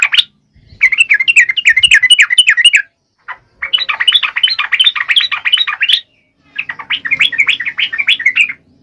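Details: Sooty-headed bulbul singing vigorously, used to prompt lazy birds: three long bursts of rapid, rolling, chattering notes, each lasting about two seconds, separated by short silences.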